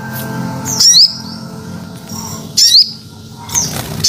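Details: Crested jay (sogon ontong) lure call: short, shrill, squeaky, sweeping high-pitched bursts about once a second or two, over a low steady hum resembling faint music.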